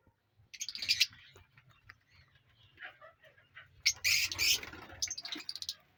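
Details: Newly formed colony of ringed lovebirds in an aviary: scattered shrill squawks and short chattering chirps, with loud bursts near the start and again after four seconds, plus faint background rustling.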